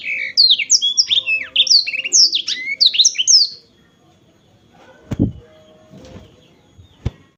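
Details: Black-throated canary delivering a three-second burst of quick, high, sweet twittering notes, sharply slurred up and down, then falling silent; a few dull knocks and thuds follow.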